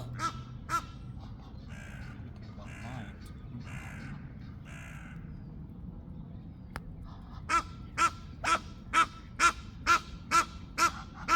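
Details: A male greylag goose, not being fed, gives a fast run of harsh, nasal honks, about two each second, after softer scattered calls; Egyptian geese call faintly in the background, ignored by him.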